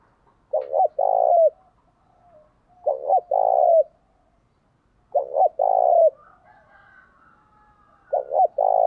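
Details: Spotted dove song for provoking rival doves: four clean phrases of a short double coo and a longer low note, repeated about every two and a half seconds, near-silent between.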